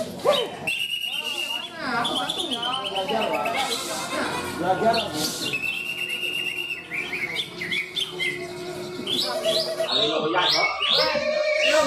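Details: Greater green leafbirds (Chloropsis sonnerati) singing at a bird-song contest in Malinau, North Kalimantan: rich, varied whistles, slurred notes and fast chattering trills, several singers overlapping, with crowd noise and clapping behind.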